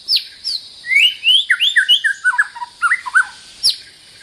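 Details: Territorial white-rumped shama delivering a lively song of sharp downslurred whistles followed by a rapid series of looping, warbled notes, with a constant high-pitched insect drone behind.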